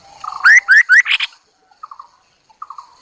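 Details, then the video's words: Lure-bird Chinese hwamei: soft low notes lead into three strong upslurred whistles and a buzzy trill, then faint clipped chatter groups. "Tiếng chim họa mi đất mồi || Suab noog kaim kauj quaj cuab tuaj"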